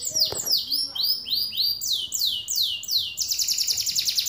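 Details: Caged canary singing a series of loud falling whistles, slower at first then quickening into a dense high rolling trill near the end.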